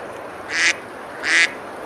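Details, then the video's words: Ducks on a river at Besalú, Girona, Spain, on a summer day, eating and splashing: two short harsh quacks about three-quarters of a second apart over a steady background hiss. "Ducks quacking, eating and splashing on the river"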